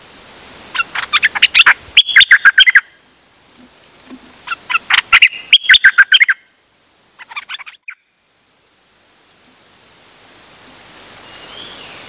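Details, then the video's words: Dok taeng bird, 8 September 2023, singing nonstop while out: three bursts of fast, clipped chirping phrases in the first eight seconds, then quiet with only a faint hiss. "เสียงนกดอกแตงEp.187 จ้าวขันเงิน นานๆออกเที่ยวสับไม่หยุด!!"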